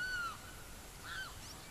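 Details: Savanna hawk from Barinas, Venezuela, giving two short drawn-out calls that arch and fall in pitch, the second one fainter, over a low rumble of background noise.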